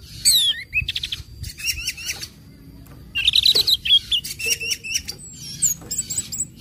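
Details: Orange-headed thrush singing ngecip, ngecit and ngeplong phrases meant to prompt other birds to join in: a falling whistle, rapid buzzy trills, then a dense chattering burst of high notes.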